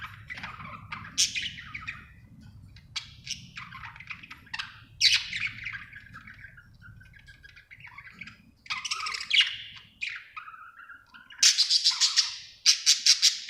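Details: Happy budgie warbling: scattered scratchy chirps and chattering phrases with gaps, ending in a quick run of loud, sharp repeated chirps.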